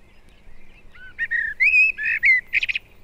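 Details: Northern common blackbird singing in a British woodland in February, recorded 1971: a low pure whistle, then louder mellow fluting notes that climb into a thin, buzzy twittered flourish.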